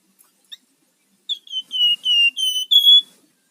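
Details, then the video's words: Rufous-fronted laughingthrush singing in 'ngebren' and 'nyiul' style, used as a lure and master for training: two faint ticks, then a bright run of six sustained whistles, mostly level, the last pitched highest. "Suara asli burung Flamboyan gacor Ngebren dan nyiul"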